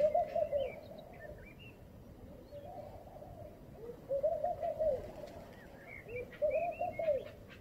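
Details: A laughing dove gives soft, bubbling coo phrases in the morning, rising and falling and repeated every couple of seconds, while other small birds chirp and twitter higher up.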